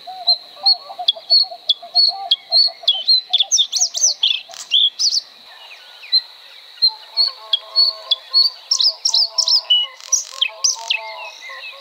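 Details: Bluethroat (Luscinia svecica) in song: rapid repeated high chips mixed with ringing, metallic phrases and brief pauses, a continuous high whine underneath and faint lower warbling notes.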